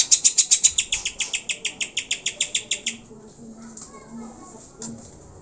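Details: Greater green leafbird song used as a lure to provoke pet birds into singing: a fast train of sharp high chirps, roughly four a second, fading out after three seconds into quiet background with faint low sounds.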